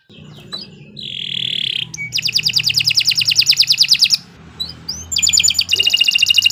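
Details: Canary master song for training: a buzzy drawn-out note, then a long rapid trill of short high notes lasting about two seconds, a pause with soft background hum, then another fast chattering trill.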